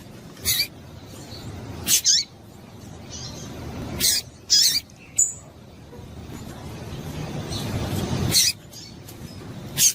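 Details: Female double-collared seedeater call, used by breeders to excite males for seedeater tournaments: short, sharp, high chips with downward-sweeping tails, spaced irregularly over ten seconds, with a faint low hiss behind.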